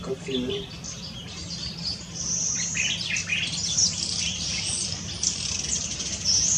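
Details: Yellow-fronted canary at Tanji Bird Reserve, Gambia, on 12/4/2018, giving a fast, high-pitched, continuous warble of sweet twitters and short trills over a faint low hum.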